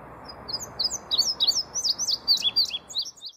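An indigo bunting gives a quick run of high, thin chirps and slurred notes, about three or four a second, over a soft low rumble.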